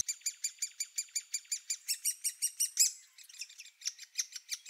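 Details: Great Spotted Woodpecker nestlings in the nest hole during the final days before fledging, a noisy chorus of harsh, high chirps repeated about three times per second, rapid and fairly steady, briefly fading and turning more ragged near the end.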